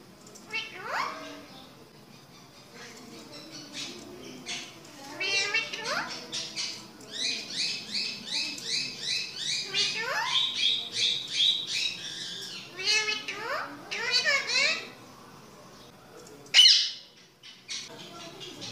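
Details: Indian ringneck parakeet during talking training, giving harsh, buzzy squawks and chattering, speech-like notes in quick bursts.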